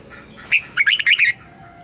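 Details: Red-whiskered bulbul singing a training song meant to help young birds learn to sing and to spur wild-caught birds into song. One short bright phrase of four or five quick, warbled, slurred notes follows a single lead-in note, over a quiet background.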